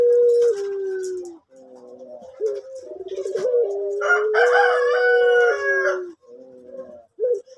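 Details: Soft-voiced orange male pelung dove in a bird farm: extended coo stepping between slightly different pitches, with another bird's loud harsh call overlapping in the middle.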